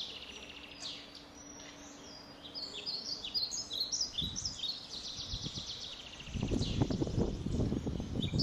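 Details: Nestling blackbirds in a shed nest, fed insects by adults: scattered high squeaky chirps and buzzy rasps, joined later by loud low rustling and thumps from movement near the nest, plus a faint steady hum.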